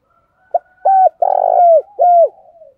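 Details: Decoy spotted dove luring wild doves with its call: a soft clipped note, a flat coo, a long vibrating purr dropping at the end, and a closing arched coo, over a faint steady background tone.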